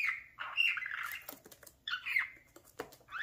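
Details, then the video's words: Talking pet parakeet at play before a mirror, producing harsh warbling squawks with wavering tones, two longer phrases broken by brief clicks and a short rising chirp at the end. "Come here, mirror obsession the talking @parakeet"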